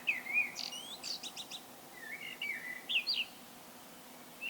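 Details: Common blackbird in solo song: rich fluted notes sliding downward, broken by a quick series of thin, scratchy high notes, then a further warbled phrase after a brief pause.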